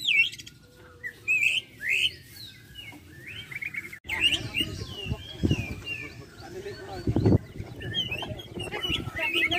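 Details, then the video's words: Lovebird singing at a bird-singing competition in Muara Wahau, Indonesia: rapid squeaky chirps and sweeping upslurred notes in quick bursts, with crowd chatter and several other caged birds heard in the background. "LOMBA BURUNG BERKICAU " LOVEBIRD ""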